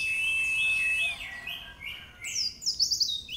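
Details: White-eye training song in the nembak style: a fading steady whistle slides into slurred notes, then bright, rapid, high descending chirps.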